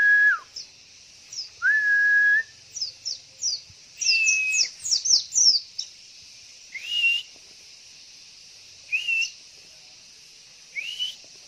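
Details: Javan white-eye female call, used to lure males into answering and singing; a burst of thin, high, quick downslurred chirps mid-clip, mixed with longer flat whistled notes repeated every two seconds or so, over a steady high hiss.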